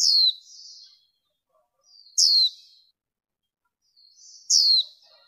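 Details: Female warbling white-eye, noise-reduced recording for luring wild birds and rousing males: three thin, high whistled notes sliding steeply downward, each trailing into a softer buzzy tail, spaced about two seconds apart; no other sounds.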